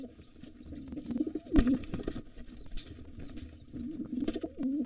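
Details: Wild pigeons battling over a nest holding two nestlings, the white father fighting off a gray intruder; soft low coos near one and a half and four and a half seconds amid sharp claps and rustling.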